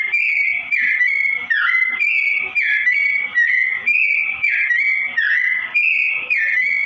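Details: Sooty-headed bulbul, slow-tone song used to train straw-headed bulbuls; mellow whistled phrases sliding down and back up, repeated in a steady loop with short gaps.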